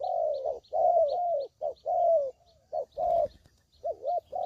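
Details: A spotted dove lure call for trapping: rich low coos, some drawn out and gently falling, others short and clipped, with a brief wavering double note near the end and faint high ticks behind.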